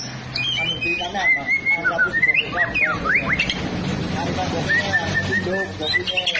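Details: Long-tailed white-rumped shama of fighter type: clear whistled notes and slurred rising and falling phrases, some sharp sweeping whistles, with low murmuring voices and background noise underneath.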